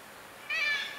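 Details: Wild black-legged kittiwake on the coast of Møre and Romsdal, Norway, in mid-May: after a quiet half second, one nasal, harmonic, meow-like call starts abruptly and holds steady to the end.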